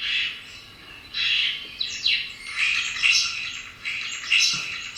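A common starling's song: a busy, unbroken run of high whistles, clicks, chirps and squeaky rattles, with short sweeping notes woven through the jumble.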